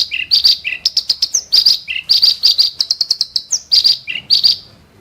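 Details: Ashy tailorbird in sharp, coarse song: strong high clipped notes in quick runs, interspersed with lower buzzy double notes and short rising whistles, phrases separated by brief pauses.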